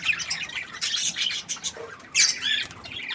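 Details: A budgerigar chirps cheerfully with quick harsh squawks and twitters, ending in a loud scratchy burst followed by softer chatter.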